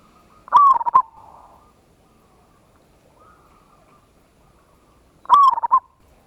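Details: Local zebra dove giving a big-voiced ngayer kerot nutut lure song to stir other doves into answering. Two loud stuttering coo phrases sit about five seconds apart, the first trailing into a faint soft coo.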